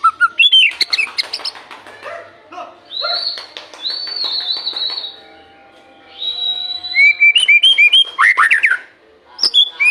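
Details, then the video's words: White-rumped shama singing as a lure for morning and evening: rich, varied phrases mixing rapid chattering notes, long clear high whistles, and a run of rising slurred notes near the end. "Pancingan murai batu untuk pagi dan sore hari"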